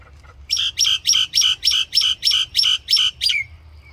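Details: Common myna repeating one loud, clear, slurred whistle-like note ten times, about three per second, in a steady rhythmic series that ends on a lower drawn-out note.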